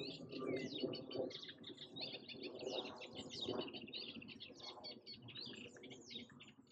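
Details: At Echinger Stausee in May 2024, a Eurasian reed warbler gives a steady, scratchy chatter of quick, grating notes, often doubled, run together without pause; a low rumbling murmur of wind or distant water underneath.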